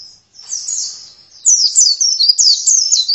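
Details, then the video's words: Oriental white-eye singing in a lively, gacor style: thin, high warbling twitters of rapid swooping notes, with a brief pause near the start before a dense, continuous run of chattering phrases. "Pleci langsung gacor"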